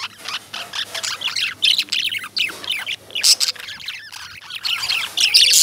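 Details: Lovebirds keep up a lively stream of shrill, rapid chirps and squeaky twitters, many birds calling at once and growing louder toward the end.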